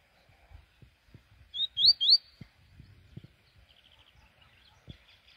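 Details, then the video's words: Morning song fragment from a double-collared seedeater (coleiro): three bright upslurred whistles in quick succession, then a faint trill, over soft tapping and handling noises. "Aquele rolezin da manhã com coleiro"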